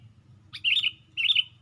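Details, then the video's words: Perched on a branch with wings raised, a sooty-headed bulbul gives two short bright phrases, each a quick upward flick followed by warbled chirps, separated by a brief pause over a soft low hum. "Pikat Burung Kutilang"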